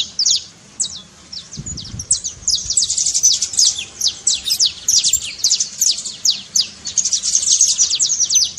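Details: Saffron finch trilling to stir a silent canary, opening with scattered high notes, then a brief low thump, followed by a long, dense stream of rapid downward-slurred chirps.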